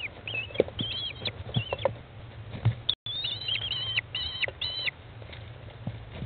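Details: Feeding time in an American kestrel nest box, chicks 15 days old, 20 May 2011, 13:54; series of high, level whining notes with short drops, clustered in two runs, amid light rustling and taps.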